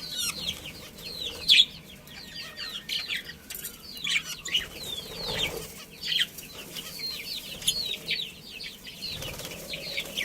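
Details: A budgerigar colony with a breeding pair, many budgies chattering together in quick, downward-swept chirps, a dense continuous twittering with occasional louder notes.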